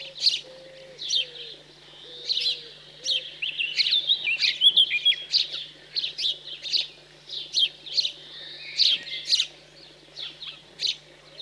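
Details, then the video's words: Recently fledged house sparrows being fed in cold rural central France on 15 June 2020, chirping insistently: dense, rapid runs of high, sharp chirps, a few soft low hooting notes early on. "MOINEAUX Domestiques/Nourrissage après l'Envol"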